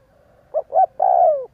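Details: Single spotted dove phrase used as a lure to get doves cooing: two short rounded coos followed by a long, husky coo that glides gently downward and fades out.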